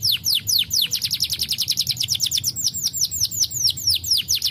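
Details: Starblue canary pouring out a lively song to urge lazy canaries to sing, a continuous run of quick, downward-slurred whistled notes, many per second, bright and high-pitched throughout.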